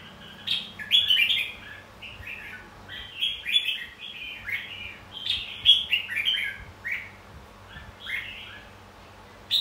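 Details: Red-whiskered bulbul song for training and stimulating contest singing; repeated bright, slurred warbled phrases roughly every second, clear and loud over a quiet background.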